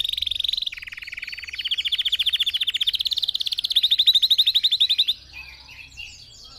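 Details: Red factor canary song for tutoring other birds: a high trill dropping to a lower rolling tour, then climbing back into fast pulsed trills before fading to faint chirps.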